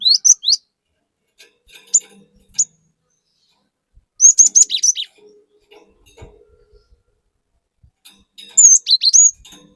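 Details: Cinereous tit singing 'gacor' in a lure recording meant to excite other birds: three bursts of high, sharp whistled notes, the last a rising whistle followed by quick dropping slurs, separated by quiet gaps with faint background clicks.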